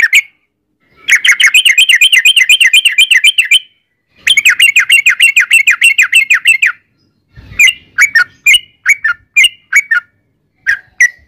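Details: Sooty-headed bulbul singing a long ropel in gacor style, played as a lure to prompt bulbuls to reply: two extended runs of rapid, rolling chatter, followed by spaced single sharp chirps.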